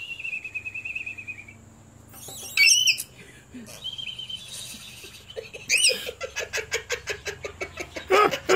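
A lorikeet gives a thin wavering whistle, then loud harsh screeches followed by a quick run of rapid chattering notes, ending in another shrill screech.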